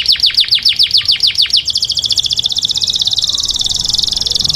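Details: Caged grey canary indoors: about a dozen sharply descending notes at a measured pace, then a very fast buzzy high trill held to the end.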